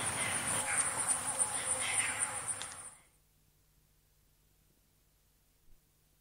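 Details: African grey hornbill calling close, giving a quick run of repeated piping notes for about three seconds, answered by another in the distance; a vinaceous dove calls and a thin, steady insect whine runs high above.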